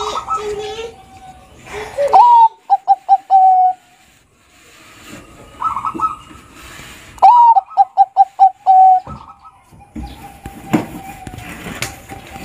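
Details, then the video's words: Bangkok zebra dove singing, used to prompt stressed birds to sing: two phrases, each a rising opening coo, rapid pulsed notes and a drawn-out ending coo, with quieter background calls and noises between. "BUNYI suara Perkutut Bangkok Gacor Kutut BANGKOK negel Terbukti Ampuh Bikin bunyi KUTUT yang stres"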